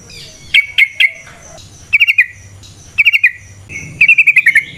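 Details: Yellow-vented bulbul (trucukan) in long rapid 'ropel panjang' singing, used as a lure for other bulbuls: scattered sharp notes then three bursts of quick, evenly spaced chattering notes, each burst longer than the last.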